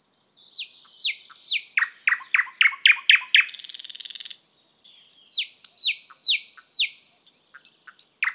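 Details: Thrush nightingale song: a series of loud descending whistled notes repeated about twice a second, then a dry rattling buzz, followed by more falling whistles and high clicks.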